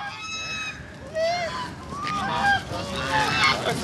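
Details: Peacock calling more softly: a series of thin, wavering, arched nasal notes roughly once a second, over steady background hiss.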